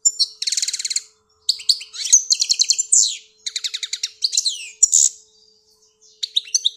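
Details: Algerian pet European goldfinch delivering a lively song of rapid high trills, liquid twitters and repeated ticking notes in quick succession, with a short pause before a final burst of chips.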